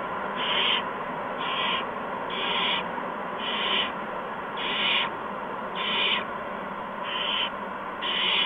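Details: Owlets in a nest being fed mice and a gopher by adult owls, evening of March 13, 2015; harsh, breathy hissing screeches repeated roughly once a second, eight bursts, over constant background hiss.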